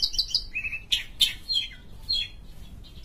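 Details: Sumatran long-tailed shrike in full busy song: quick, varied high chirps, whistles and scratchy notes, tumbling together about once a second with short pauses.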